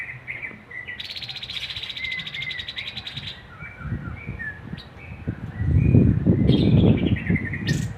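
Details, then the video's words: Black-headed babbler singing: clear whistled notes near mid-pitch, short slurred phrases, and a dry buzzy rattling trill lasting about two seconds, with louder low rumbling and knocking noise in the second half. "MASTERAN HANDAL TEPUS KEPALA HITAM"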